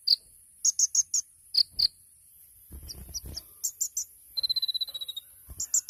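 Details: Sunbird (kolibri ninja) giving a 'tembakan' style training song: scattered high chirps, then a thin, rapid, even trill, followed by more sharp notes, with faint low rustling in the background.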